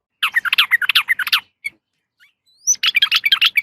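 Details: Female sooty-headed bulbul calling to a male: a fast run of bubbly, chattering notes, a pause with a couple of faint single notes and a rising squeak, then another quick chattering burst.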